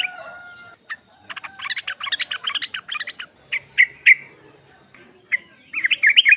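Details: Female sooty-headed bulbul (trucuk) calling the male, recording meant as a lure: a dense chattering burst of chirps, then spaced single notes and a final lively twittering phrase, with faint background hum.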